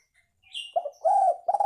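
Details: Lure recording of a spotted dove: a faint chirp, then a clipped double coo, a long husky sustained coo, and the start of another coo.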